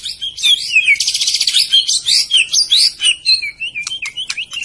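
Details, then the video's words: White-rumped shama from Medan in rich varied song: a rapid buzzy trill, then sliding whistled phrases and quick high clicks, delivered continuously and loudly. "kicau burung murai batu medan"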